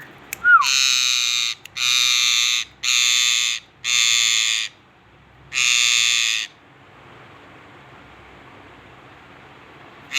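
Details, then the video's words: A parrot gives five harsh, raspy screeches, each under a second, in a quick uneven series, then falls quiet with only faint background hiss. "talking|sweet parrot"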